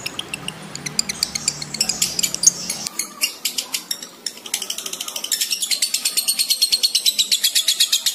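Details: Lovebird ngekek chatter, in breeding condition: after a few seconds of low hum and scattered chirps, a rapid, high, rattling series begins and speeds into a steady stream of sharp pulses.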